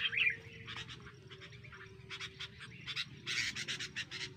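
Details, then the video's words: A sooty-headed bulbul caught in a clamp trap gives rapid, harsh chattering bursts and a few bright chirps, growing busier toward the end, over a faint steady low hum. "kutilang perusak pikat"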